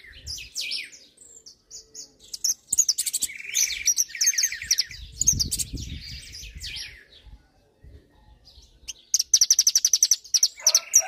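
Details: Hooded siskin singing a rapid, varied twittering song of high whistled notes, buzzy trills and chattering phrases, ending in a fast run of repeated notes; low thumping noise in the middle.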